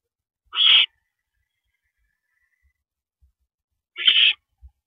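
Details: Owl at its nest during a night-time rabbit delivery, 3:52 AM on 7 May 2012: two drawn-out hoarse hissing screeches roughly three seconds apart, with faint soft knocks in the background.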